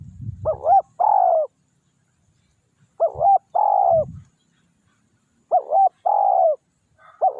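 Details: A spotted dove used as a lure to draw in wild doves coos: a hoarse two-note stutter, then a longer, falling mellow coo, repeated about every two and a half seconds, with soft low thumps in between.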